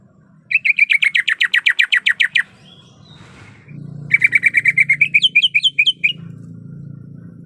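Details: Female greater green leafbird in heat calling for a male, giving two fast bursts of sharp repeated chirps, each about two seconds long, the second ending in higher hooked notes, over a low background hum.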